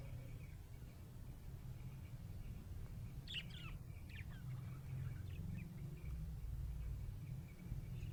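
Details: Happy budgerigar chirping: a short cluster of bright, scratchy warbled chirps partway through, set against a steady low rumbling hum.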